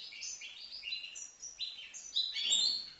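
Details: A five-month-old young European goldfinch in Livno sings a fast, tinkling twitter of high, liquid notes that jump up and down in pitch, ending in a brief harsher burst.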